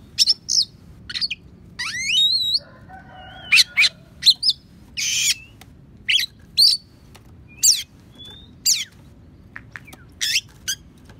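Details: Oriental magpie-robin (kacer) in a filled, mimicking song used as a tutor for other songbirds, including imitated sparrow and prinia phrases: a varied run of sharp high chips, whistled slurs and brief buzzy bursts, spaced about every half second over a low background hum.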